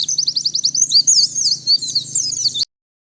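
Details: White-eye song for luring and tutoring birds, noise-free: a fast series of about eight short, even, high chirps, then looping warbled slurs and twitters before an abrupt stop.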